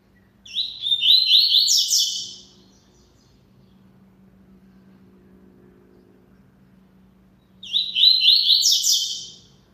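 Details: Double-collared seedeater singing a lot: two rapid, twittering phrases of bright, high chirped notes, each about two seconds long, separated by roughly five seconds of quiet with a faint low hum underneath.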